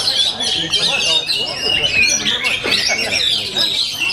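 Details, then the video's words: Oriental magpie-robin singing at full power in competition style: a dense, loud run of high whistled and chattering phrases with rapid twittering notes and scratchy trills. "OMEN KACER FULL POWER"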